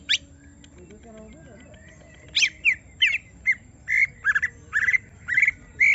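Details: Greater green leafbird provoked into full song: after a quiet opening with faint low murmurs, loud clipped whistles and chattering phrases start, repeated roughly twice per second with slurred, wavering notes.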